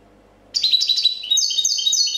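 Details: Goldfinch competition champion of 2014 in clean copia song: after a silent start, a sudden continuous stream of rapid high twitters and stepped falling notes, running unbroken to the end.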